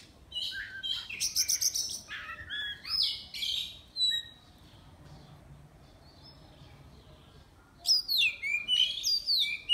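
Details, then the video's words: Caged Oriental magpie-robin, online song-contest entry from Miri, Sarawak; dense chattering bursts and whistled slurs for four seconds, a quiet gap, then another lively run of descending whistles. "Lomba Burung Online Kacer"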